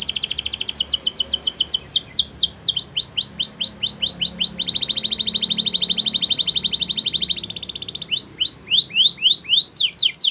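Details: Belgian canary in morning song, alternating buzzy rolling trills with series of clear downward-swooping whistles, shifting pitch between phrases and returning to fast sweeps at the end.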